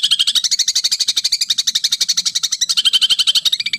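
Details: White-rumped shama (murai batu) in full, agitated song used as a training track: a fast, steady run of sharp, high chattering notes, about four per second, without pause.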